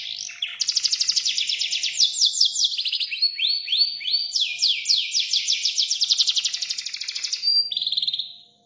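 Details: Canary song in long gacor style: rapid rolling trills, looping slurred whistles and a sustained buzzy roll, ending on a held whistled note as the sound fades.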